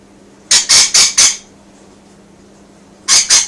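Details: Indoor pet rainbow lorikeet calling to the birds outside: four loud, grating squawks in a tight run, a pause, then two more, with a faint steady hum behind.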